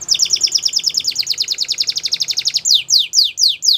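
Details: Belgian canary song used to train young canaries, a rapid dense trill of sharp high notes for over two seconds, then a slower series of loud descending whistled sweeps about three per second.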